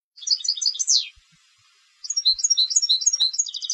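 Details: Competition European goldfinch singing: high, tinkling twittered notes in rapid jumbled bursts with a short liquid trill, a pause of about a second, then a longer run of bright chirps and clipped notes, background otherwise silent.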